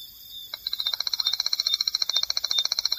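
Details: Striped Crake from marsh and seasonally flooded grassland: after half a second of quiet, a dry, high trill of rapid, evenly spaced ticks starts abruptly and carries on to the end.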